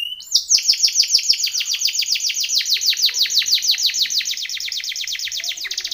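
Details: Timbrado canary training song: a long, loud series of descending rolling notes, about three per second, delivered continuously with little change in pace, with a faint murmur near the end.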